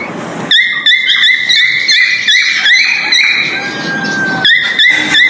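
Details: Male cockatiel whistling its breeding mating call: rapid repeated whistled notes roughly three per second, a short pause with a faint drawn-out tone, then the quick notes resume.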